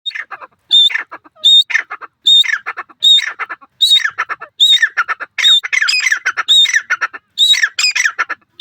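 A partridge gives loud, harsh, chattering phrases with a thin whistled note. About one burst every three-quarters of a second, steady and insistent.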